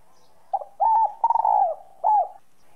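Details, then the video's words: Spotted dove whistle-voice coo used to stimulate other doves: a soft short note, a clear sustained coo, a rapidly quavering coo sliding downward, then an arched final note, with a light background hum. "Cu gáy giọng còi. tiếng chim cu gáy giọng còi gáy kích bổi"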